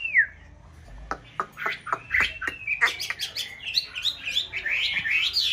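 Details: Breeding-season white hwamei from an aviary pair kept for conservation, singing and displaying during nest building: a series of sharp clicks and snaps, then varied loud whistled notes tumbling quickly one after another.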